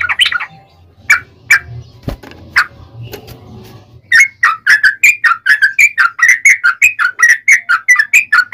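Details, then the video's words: Yellow-vented bulbul singing, a recording meant to provoke other bulbuls into answering: a few scattered notes at first, then a steady run of quick, bright, bubbly whistled notes, about two or three per second, over a faint low hum. "trucukan gacor ROPEL PANJANG pancingan trucukan agar bunyi"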